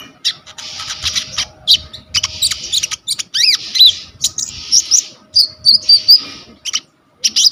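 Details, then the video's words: Lively coconut lorikeet, known locally as konin, singing a varied phrase set for songbird training, captured by phone: harsh buzzy bands alternate with twisting whistled chirps, almost continuous, with a faint hum underneath. "KONIN GEACOR FULL ISIAN"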